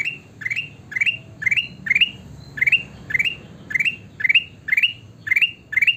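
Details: Sooty-headed bulbul calling actively: the same short bubbly rising note cluster repeated about twice a second in a steady, even series, with faint low background hum.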